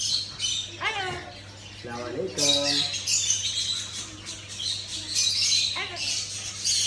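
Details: Amazon parrot speaking Arabic, with squawks and speech-like bursts of varied pitch, some rising whistled notes, over a steady low hum and faint background music.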